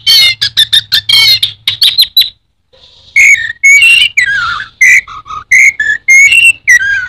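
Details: Orange-headed thrush, known locally as anis merah, a popular kept songbird in Indonesia, singing a loud, varied run of sharp whistled notes and rapid chattering phrases, with a brief pause midway before more clear whistles and slurred notes resume.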